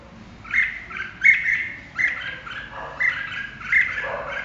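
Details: Red-whiskered bulbul repeating chirpy, slightly squawky whistled phrases about every three-quarters of a second, each rising to a sharp bright note, with a lower sliding syllable near the end.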